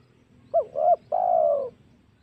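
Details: One phrase of a spotted dove's hunting lure call: two brief bouncing coos, then a longer steady coo gently falling in pitch, over faint low hum.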